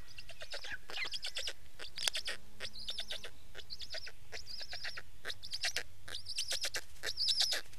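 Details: Dense, fast-repeating raspy notes from a Black stork, closely spaced throughout, some with a thin whistled edge, over low background noise.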